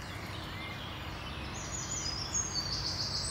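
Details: Young Eurasian coots on their nest at the Sloterplas, Amsterdam Nieuw-West, give thin, high peeping calls in the second half, over a steady wash of background noise.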